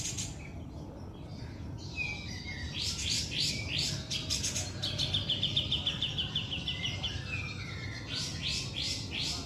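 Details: Male white-rumped shama in the wild, from abroad, heard at a distance: bursts of buzzy notes and a fast even trill of repeated notes, over a steady low background rumble.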